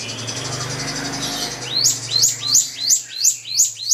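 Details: Drongo song meant to anger a rival: after a stretch of noisy background, a quick run of high swept chirps repeated almost three times a second in a regular rhythm.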